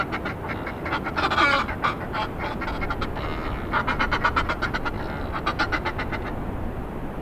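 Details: Male and female Northern fulmars (Fulmarus glacialis) on cliffs at Hunstanton, about 25 m away, giving guttural, duck-like cackling in rapid bursts of about four notes a second, rising and falling in runs over steady wind and surf.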